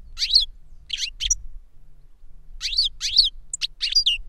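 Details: European goldfinch in a cage, the tutor or its young pupil taught by CD, giving grouped bursts of sharp high twittering notes with short pauses between them, low hum in background.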